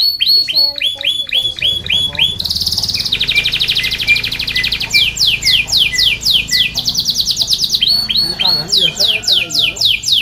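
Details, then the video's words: Canary song used for training and luring other canaries: long, varied phrases of rapid down-slurred whistles, buzzy rolled trills and fast chattering, high-pitched and continuous throughout. "kenari gacor panjang SUARA BURUNG KENARI ampuh buat MASTERAN KENARI & PANCINGAN KENARI"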